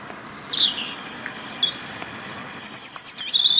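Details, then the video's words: Robin song from the UK, sung to keep a winter territory: a quick cascade of high descending slurs, a pause, then a rising sliding whistle and a fast twittering high trill at the end. "Beautiful song of Robins"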